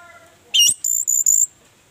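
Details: Orange-headed thrush used as a lure to draw other birds into singing: three quick bursts of bright, high whistled notes packed into about one second, then quiet.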